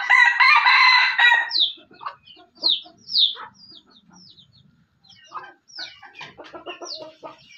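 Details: An Aceh junglefowl, a friend's decoy bird, gives a harsh, rasping crow, then a run of quick clucks and short high squeaky notes, some falling in pitch, at a rapid, uneven pace.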